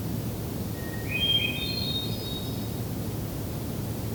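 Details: Hermit thrush at sunset near Hector Falls trail, Tionesta Scenic Area, Allegheny National Forest, Pennsylvania, June 2023: one song phrase, a long clear opening note then a quick flurry of fluty, echoing notes climbing higher, over a steady low rumble.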